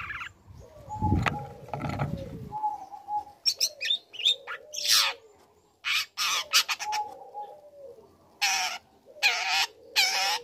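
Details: Learned song of a young long-tailed shrike, played to make other shrikes answer: harsh rasping bursts and chattering notes separated by pauses, with a low rumbling noise at the start.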